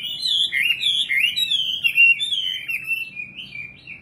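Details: Bright, high, rippling warble from a singing nightingale, steady for about three seconds before tapering off softly.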